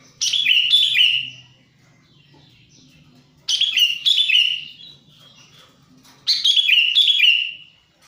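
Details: Lure call of the sooty-headed bulbul, used to bring wild birds close: three bursts of paired harsh, falling, slightly buzzy chirps, each burst spaced about three seconds apart, with quiet gaps between.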